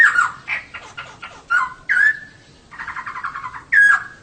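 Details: Female laughingthrush singing as a lure for males: loud whistled notes sliding down, interspersed with scratchy chatter and a buzzy trilled phrase near the end.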